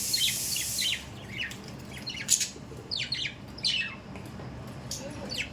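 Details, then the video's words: Budgerigars kept as pets, giving sharp, downward-sweeping squawks and chirps in short bursts with pauses, a brief hiss of water at the start. "Budgies parrot daily update"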